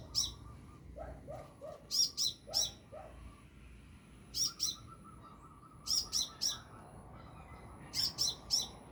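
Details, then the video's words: Wild sunbird overhead gives regular groups of two to three sharp high notes; a second, lower bird sings short descending chirps and a wavering whistle in the background. "Burung Kolibri gacor"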